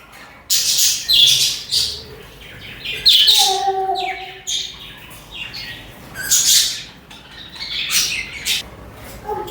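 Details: Budgerigars (parakeets) singing and chattering: bright, hissy chirp bursts and squeaky notes, with a brief lower warbled tone near the middle and further chirping throughout.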